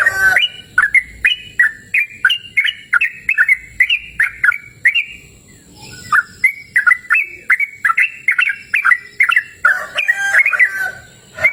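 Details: Yellow-vented bulbul in lively, sustained song, recorded in cool open countryside: rapid chains of bright, slurred, bubbling notes, about two per second, with one short pause midway and a busier, denser burst near the end.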